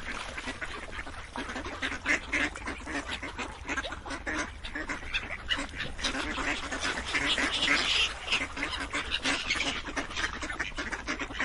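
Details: A large group of ducks keeps up a long unbroken chorus of raspy quacks, dense and overlapping, swelling slightly midway.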